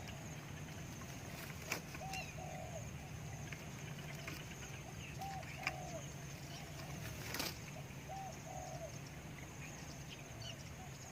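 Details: Spotted dove, used in decoy luring, gives soft low cooing phrases, a brief note then a drawn-out rolling coo, coming roughly every three seconds against constant low background hum with a few sharp knocks.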